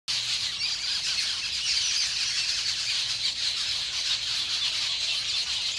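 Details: A flock of more than ten Jungle Babblers, known locally as sat bhai or seven sisters, on a bamboo fence outside an orchard in New Delhi, mock fighting and allopreening. Dense, continuous harsh squawking and chattering from many birds overlaps throughout.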